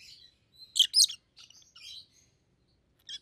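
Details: Rosy-faced lovebirds, a yellow and a green bird with red heads, give two loud, shrill chirps close together, followed by softer, buzzier twittering and a final short squeak.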